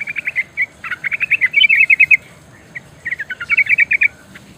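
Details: Rolling call of a female yellow-vented bulbul calling the male: quick chirped trills that rise and fall slightly, broken by short pauses, then resuming in a fast stuttering run of bright notes.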